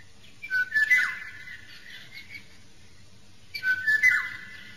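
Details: Eurasian golden oriole in the wild gives two rich, fluty whistled phrases about three seconds apart, each a short liquid yodel; faint background hiss.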